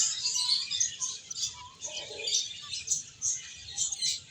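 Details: Small finches chirping while playing and eating: a continuous high twittering chorus of short, sharp tweets with no pause.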